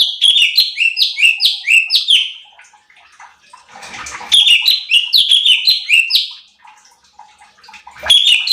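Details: Cucak cungkok bulbul heard in a recording for training contest birds. Loud runs of sharply falling whistles come in phrases of about two seconds, separated by quieter gaps with faint rustling.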